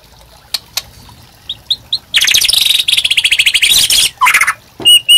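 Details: White-rumped Shama kept in captivity, singing vigorously as a tutor and trigger for other birds: a few scattered chips, then a loud harsh buzzy rattle lasting nearly two seconds, followed by clear whistled notes.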